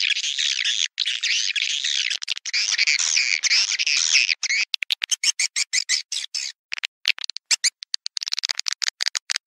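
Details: Swiftlet calls played as a lure to draw swiftlets into bird houses: dense, high buzzy twittering for about four seconds, then a run of short sharp clicking chirps with brief gaps, and the twittering returning at the end.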